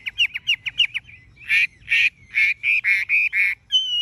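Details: Chinese hwamei, a tame bird with bright yellow legs, bill and plumage, singing a series of quick, evenly spaced sharp notes followed by loud harsh rasping bursts and a final clear whistle.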